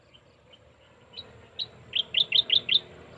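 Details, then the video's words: A bird's song of bright, high chirps, starting soft and sparse, then building into a loud quick series of about six sharp, evenly repeated notes near the end, over a quiet background. "natural sounds of birds shirping they're singing"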